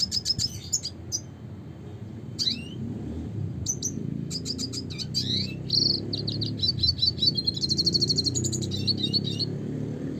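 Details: Spinus cucullatus singing a lively classic red siskin song for about ten seconds: sharp chips, slurred notes and a buzzy trill run together, over a noticeable low hum.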